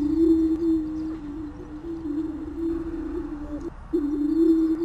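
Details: Greater prairie chicken booming: a deep, resonant, steady hoot rolls on with slight wavering, pauses briefly near the end, then resumes strongly. Faint higher chatter sits in the background.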